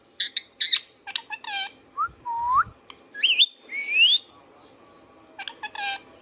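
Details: Pet Indian ringneck parakeet chattering with quick harsh notes, then a low upturned whistle, a twisting higher whistle and a long rising sweep, ending in more short rasping notes; steady hum underneath.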